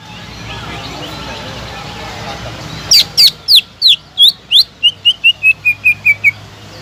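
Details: Lively greater green leafbird song played to rouse a quiet bird: about fourteen loud whistled notes in a rapid series, the early ones steep downward slurs, the later ones shorter, lower and evenly spaced.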